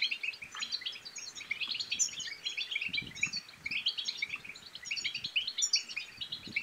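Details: Goldfinch bitbita song to excite males and prompt females to mate: lively twittering run of chirps with two piercing high notes, soft low rustling beneath.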